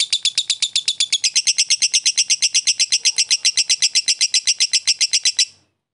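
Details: Lovebird of fighter type chattering ngekek-style to goad an opponent: a long burst of quick, high, clipped notes, about four per second, that stops abruptly near the end, leaving silence.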